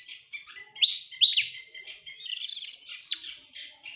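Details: Oriental magpie-robin, excited and opening its tail, gives a few sharp upslurred whistles, then a long fast rattling trill of high buzzy notes lasting over a second.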